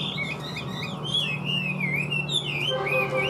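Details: Chinese hwamei kept in a cage, large-bodied and said to sing high and well, pouring out loud, varied whistled phrases with rapid rising and falling slurs, a continuous run over low background hum.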